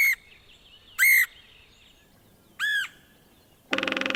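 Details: Red-headed Woodpecker, Missouri, found in open woodland with scattered trees and sparse understory. Three loud, screechy ringing calls come at uneven intervals, then a harsh buzzing rattle closes the clip.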